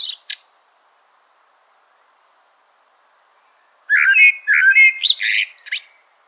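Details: Singing Eurasian blackbird: after a brief high squeak and a long quiet gap comes one rich phrase of warbled, fluted notes that ends in scratchy high-pitched twittering.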